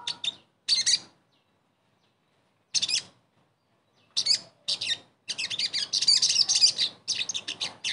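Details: Sogon song used to prompt a silent bird to sing: short separate bursts of high chattering notes, building into a longer, continuous run of rapid, bright twittering.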